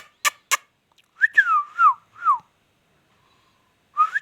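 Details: Indian ringneck parakeet after two sharp clicks: a loud whistle that rises then slides down, two more falling whistled notes, and a short rising whistle after a pause.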